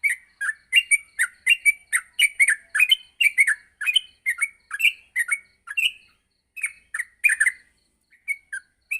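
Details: Morning training song of a yellow-vented bulbul for teaching young bulbuls to sing fast; dense run of bright chirping, slurred notes in quick succession, pausing briefly near the end before resuming.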